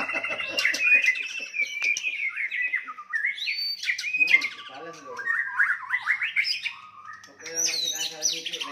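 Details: White-rumped shama fighting song meant to provoke and anger rivals: rich varied phrases of whistles, harsh buzzy notes and rapid trills jumping between pitches, continuous and loud with brief pauses.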